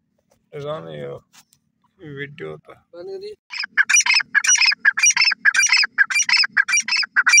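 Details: A partridge calling after a few seconds of a man speaking: a series of harsh, grating notes repeated in quick bursts, nearly two per second, loud and close.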